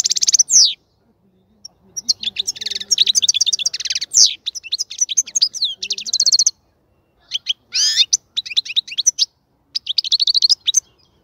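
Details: Long, varied song from a caged European goldfinch ahead of breeding: tinkling twitters, rattling trills and sweeping chirps in several phrases with brief gaps, and faint low sounds beneath.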